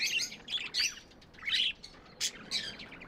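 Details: Pet budgerigars chirping: short bursts of bright, scratchy warbling notes, high and busy, coming in clusters with brief quiet gaps between them.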